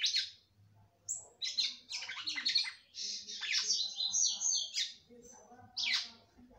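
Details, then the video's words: A caged female red-cowled cardinal sings to get the male going. She gives a lively run of high piercing chirps, steeply falling slurs and short clear whistles, grouped in tight bursts with brief gaps between them. A soft low hum sits underneath. "FÊMEA DE GALO DE CAMPINA CANTANDO MUITO PRA FOGUEAR SEU CAMPINA"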